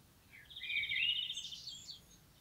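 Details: Single flowing phrase from a wild common blackbird: a low whistled opening swelling into a fluty warble, then trailing into thin, high twittering notes, against faint hiss.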